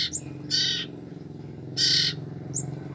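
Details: Young common iora siblings, only two weeks old, calling to lure their parents: two loud scratchy rasping bursts about a second apart, each followed by a short thin high note, against a constant low droning hum.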